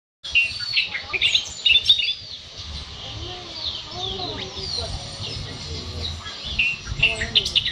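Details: Great-tailed grackle, newly arrived, singing: sharp whistled notes and squeaky chirps high up, some rising and falling slides, repeated in short bursts, over low background rumble and faint voices.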